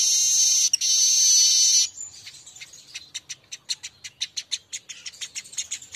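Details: Streaked weaver lure song for stimulating birds to sing: opening loud hissing sizzle of nearly two seconds, then a quick, fairly even series of sharp, high ticking notes.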